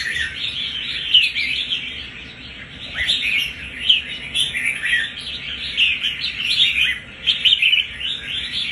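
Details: A red-whiskered bulbul, wild-caught and kept for one month, showing tough fighting spirit, sings a dense, unbroken stream of chattering, warbled notes that swell and fade in loudness.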